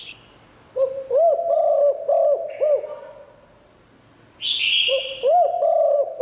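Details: Spotted dove song meant to lure wild doves: two runs of rapid, arched cooing notes, each run about two seconds, with hissy bursts between them and a low background hum.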